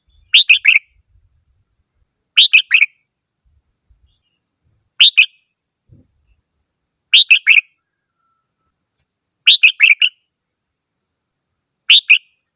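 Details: Red-whiskered bulbul singing steady, cheerful phrases of three or four fast whistled notes, repeated about every two and a half seconds, with occasional faint high chirps.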